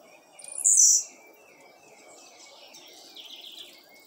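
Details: Blue-black grassquit (tiziu) from a bird breeder: one loud, short, high buzzy burst near the start. Fainter high chirps follow, over a low rural background hum.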